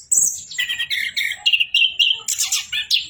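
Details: Short burst of Orange-headed thrush song, beginning with a high whistle, then a row of clear mid-pitched whistled notes, ending in a harsher buzzy flourish.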